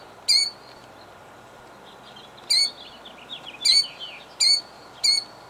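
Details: Killdeer, a female defending her eggs by a roadside in Jackson, New Jersey, 2008: sharp, high piercing notes repeated at intervals of about one second, with thin twittering between them.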